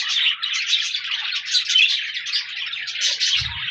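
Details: On 14 January 2024, budgerigars chatter in a dense jumble of squeaky chirps and warbled notes, ending with a short low thump near the close.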